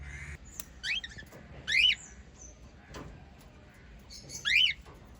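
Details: Lovebirds, a white group of five kept as pets, giving a few sharp, rising-falling squawky chirps, three separated bursts over five seconds against quiet indoor background hiss.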